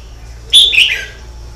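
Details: A red-whiskered bulbul, singing continuously, gives one brisk phrase: a sharp high note followed by a tumbling, descending warble lasting about half a second. A constant low electrical hum is heard throughout.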